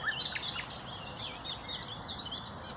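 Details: Common nightingale, a loud and melodious songster of dense undergrowth, on 30 April 2021: rapid high chirps and slurred whistles opening the phrase, fading into softer warbling against background hiss.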